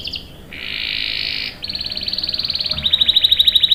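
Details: Energetic canary with a long rolling song, used as a lure and tutor for young males: a sustained buzzy note, then a rapid rattling trill that grows louder and faster.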